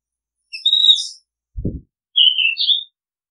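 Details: Oriental magpie-robin giving two loud whistled phrases, the first high and warbling, the second lower and wavering, with a brief low knock between them.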